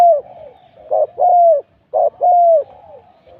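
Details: Spotted dove kept for decoy luring gives two low cooing phrases. Each opens with a brief rough note, then a drawn-out, softly falling coo, with a faint trailing murmur between them.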